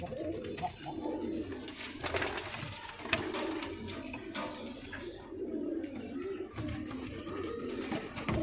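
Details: Low, rolling coos come from pigeons offered for sale. They swell and fade over several seconds, with sharp clicks and shuffling indoors.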